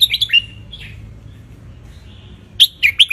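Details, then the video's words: Tutor song of a wild red-whiskered bulbul from Ratchaburi, Thailand, recorded while sunning itself: quick bright whistled notes, a slurred lower phrase, a soft trailing note, then a lively burst of rapid chirped whistles; faint low hum underneath. "นกกรงหัวจุกราชบุรีป่าตากแดด เปิดสอนลูก ยั้วนกฟังนกร้องตาม"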